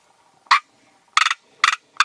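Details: Northern black korhaan (white-quilled bustard) in African grassland habitat gives four harsh, rasping croaks, each a short pulsed burst about half a second apart, over a quiet background; calls serve to warn of danger, attract mates and establish territory.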